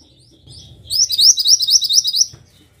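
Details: Mantenan bird song for tutoring: a faint lead-in note, then a fast, loud string of about nine high up-slurred whistles with a ringing overtone, fading out over a quiet low hum.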